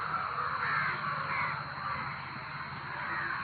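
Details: Loud cawing from a crowd of crows, overlapping harsh calls forming a thick, restless chorus that stays strong from start to finish.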